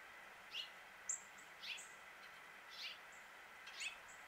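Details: Male house finch calling in Suffolk, Virginia, USA: four or five separate short chirps spaced roughly a second apart, sharp and high, with a faint steady hum beneath.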